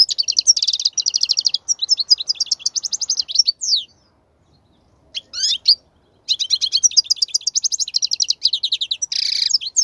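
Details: European goldfinch song for teaching young birds: rapid, rolling twitters and metallic chirps in long phrases, a short silent gap mid-way, then renewed fast twittering ending in a buzzy burst.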